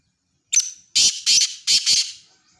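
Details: Loud, grating call of a black francolin: one short clipped note, a pause, then four harsh scratchy notes delivered in two close pairs, fading out afterwards.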